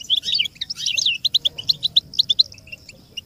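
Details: American goldfinch song for training chicks and songbirds: a jumbled twittering burst opens, followed by evenly spaced sharp chirps repeated about five times per second.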